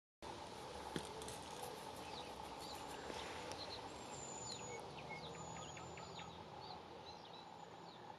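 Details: Eurasian penduline tit (Remiz pendulinus) calling from a willow near a power station on 1 May 2017: thin, very high, drawn-out descending whistles, with short chirps from other small birds over a steady background hum.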